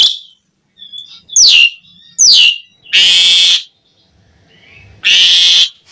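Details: Asian pied starling in gacor song. Sharp downslurred whistles give way to two long, harsh, rasping screeches separated by silence.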